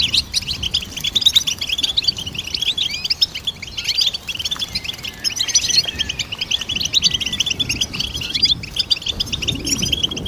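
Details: Goldfinch melody meant for training songbirds: a continuous, rapid chatter of tinkling notes and short trills, slightly quieter in the middle, then lively again toward the end.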